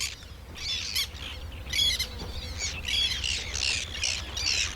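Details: Black terns in a breeding colony in water reeds on a Dutch river, in June with chicks, give harsh, scratchy squawks in an overlapping, uneven chorus, panicked by splashing of spawning breams below, with a low background rumble.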